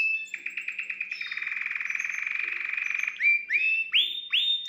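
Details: Canary song meant to excite a hen: a long rapid rattling trill held for about three seconds, then loud upward-sweeping whistled notes repeated roughly twice a second.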